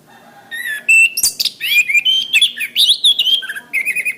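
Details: Orange-headed thrush song of the kind used to train caged birds: a long, rich stream of varied whistles, sharp chirps, slurred rising notes and mimic-like phrases that follow one another without pause.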